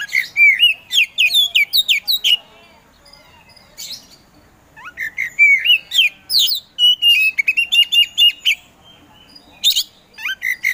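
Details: Oriental magpie-robin, known locally as kacer and kept for singing contests, sings a long, varied strophe of sliding whistles, buzzy bursts and quick chatters, pausing briefly mid-way before resuming with rapid repeated notes.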